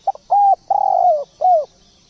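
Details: A singing spotted dove delivers a single phrase of four low coos, the first clipped, the third long and vibrating as it falls, the last arching downward, in near silence.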